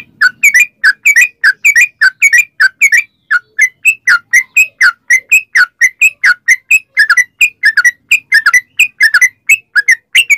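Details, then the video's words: Long, continuous sooty-headed bulbul song meant to prompt other bulbuls to answer: dense, rhythmic chains of bright whistled notes, mostly paired, rising and falling slightly in pitch. "trucukan gacor ROPEL PANJANG buat pancingan trucukan agar bunyi"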